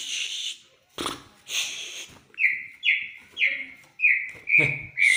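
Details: White-rumped shama, its song said to stir other birds into singing: a run of clear, level whistled notes repeated about twice a second after some noisy rustling bursts at the start.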